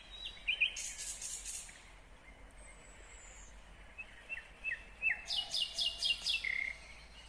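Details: Nightingale song from Kyrgyzstan, 2020: a buzzy rattle opens, then a long thin whistle. A rapid run of about seven loud, repeated chopping notes follows near the end.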